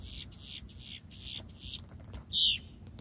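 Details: Blackbird singing on Amelia Island, Florida: a run of short, high, hissy note bursts repeated roughly every quarter second, then a pause and one louder, buzzy high note near the end, over a soft low rumble.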